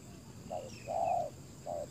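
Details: Spotted dove used to lure wild doves, a brief phrase of three low coos, the middle one longest, with faint high bird calls behind.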